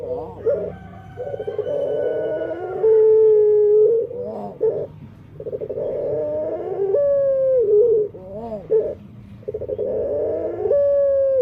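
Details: A dove (puter), whose owner wonders whether its odd voice is unique or a defect, repeats low, hollow cooing phrases about every four seconds, each a rolling, purring trill ending in a long, drawn-out note.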